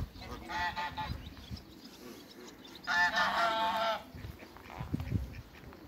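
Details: Giant African geese, a couple, calling with rough, harmonic-rich honks in two bursts, the second a sustained loud run of about a second, over constant low rumbling background noise.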